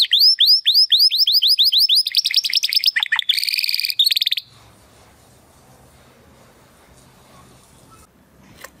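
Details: Male Timbrado Español canary born in 2020, training song for other canaries: a run of repeated sweeping whistled notes, a quick buzzy roll, then the singing stops and only faint background noise remains.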